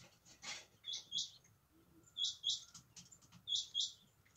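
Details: Female quail calling: paired short high buzzy notes, two in quick succession, repeated roughly every 1.3 seconds, quiet against a faint steady background hiss.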